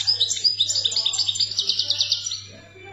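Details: Wild European goldfinch from Algeria in full song, a fast run of tinkling, liquid twitters followed by a rhythmic series of buzzy repeated notes, with a constant low electrical hum behind.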